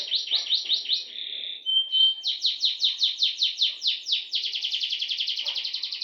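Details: Canary song with a long roll: quick rising-falling notes, a short whistle, then an even series of sweeping notes. It ends in a very fast, tight buzzing trill.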